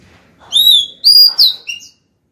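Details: A female Oriental magpie-robin sings to call a male, giving three clear, whistled phrases in quick succession, high and slightly sliding, over a faint low murmur.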